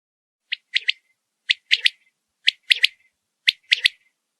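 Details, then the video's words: A quail gives a sharp, high three-note call, repeated four times at roughly one-second intervals, with a few faint clicks. "Learn the sound of a quail bird"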